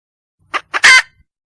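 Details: Red junglefowl hen calling for a male partner: two brief clucks leading straight into a single loud, harsh, drawn-out squawk.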